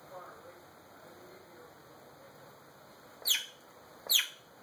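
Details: Male African grey parrot, a pet alone in a room and filmed on a phone: faint quiet background, then two sharp, high, downward-sweeping chirps about a second apart.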